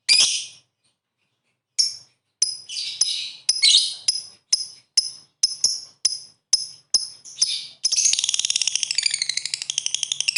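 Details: Lovebird calling 'ngetik ngekek' to spur rival birds into song; a gap, then a run of sharp, rapid ticking notes at quickening pace, ending in a sustained, shrill trilling chatter.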